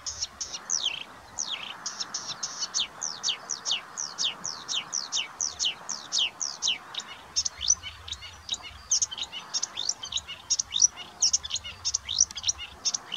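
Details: Marsh warbler singing at Budimír, Slovakia, with a tick on its face: long continuous stream of quick, sharp downslurred notes and chatter, steady and unbroken throughout, with faint low background hum.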